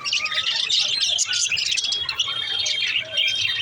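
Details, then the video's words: Budgie parakeets chattering nonstop: busy high twittering overlaid with thin, sustained whistled notes and scattered squawky chirps. "Beautiful parrot parakeet sound"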